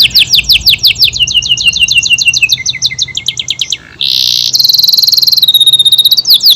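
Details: AF canary singing a long, tight-burst song: rapid down-slurred notes rolling in series, a short dip, a harsh buzzy burst, then a dense high trill ending in swooping notes.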